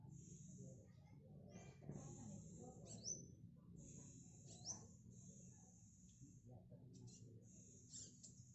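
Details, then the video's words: Speckled black sunbird, tame and training its voice, gives long high-pitched buzzing trills with a few sharp upward-sweeping notes, bursts lasting about a second, against a constant low hum. "Kolibri Black Sunbird Trotol Lulut Melatih Bunyi"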